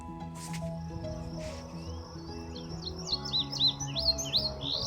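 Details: An eastern meadowlark sings in a Minnesota prairie in early June, among blooming wildflowers, giving a run of high, slurred whistled notes in the second half over steady background music.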